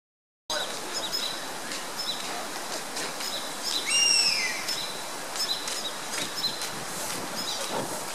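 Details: An Oriental honey buzzard calling outside a window gives one high, thin, downslurred whistle, heard once against a steady hiss of background noise with faint chirps.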